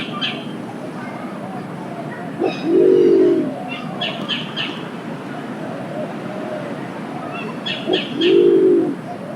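Green imperial pigeon giving deep, hollow, rolling coos, two bursts about six seconds apart, with faint chirps from small birds in the background.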